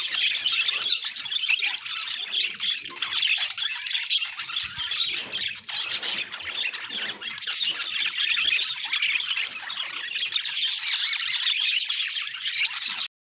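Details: Budgerigars kept as pets keep up a dense stream of squeaky chirps, warbled twitters and harsh squawks, many birds calling at once, ending abruptly.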